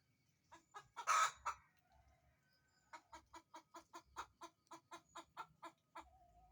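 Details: Hen calling while laying an egg, giving a loud harsh squawk followed by a long run of rapid, regular clucks, roughly four per second, rising slightly in strength; low rumbling background noise.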